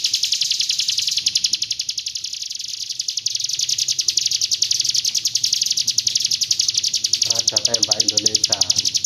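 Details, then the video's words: Hill prinia singing in the 'roll tembak' style, from East Java, Indonesia: a fast, steady stream of high, sharp repeated notes, about four per second, continuing unbroken, with a short burst of a man's voice near the end. "PRENJAK GUNUNG ROLL TEMBAK"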